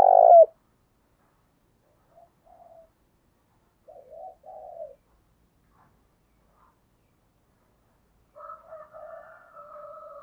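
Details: Spotted dove lure call for attracting wild doves, in the thúc bổi style. One loud coo opens, then softer, wavering low coo phrases recur at intervals against silence.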